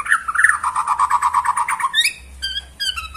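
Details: White-rumped shama of the Borneo type, performing in a bowing display: a rapid rattling run of repeated mid-pitched notes, then a few clear, high whistled phrases with gaps, over a low background hum.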